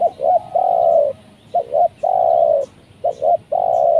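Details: Spotted dove cooing during a hunt luring wild doves with a trained decoy bird. A wild dove came down and was caught. Three phrases, each two short low coos then one long drawn-out coo, about every 1.5 seconds.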